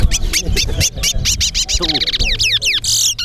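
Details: Towa towa, or chestnut-bellied seed finch, in a whistling competition in Linden, Guyana, delivering a fast string of sharp, bright whistled notes that turn into descending slurs and a final buzzy burst over background voices.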